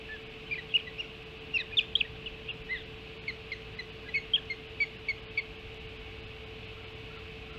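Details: Ospreys feeding at the Hog Island nest at dawn, 7 July 2016; thin high chirps come in loose series, some doubled, spread across several seconds over a constant low hum.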